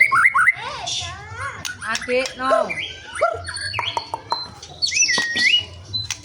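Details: Caged white-rumped shama singing a varied, excited song: slurred whistles rising and falling, quick rippling phrases and sharp clicks, with a long clear downslurred whistle near the end and low background hum.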